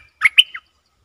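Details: Short phrase from a decoy streak-eared bulbul luring wild birds, 3 June 2021: three quick, warbled notes, the middle one highest, over under half a second.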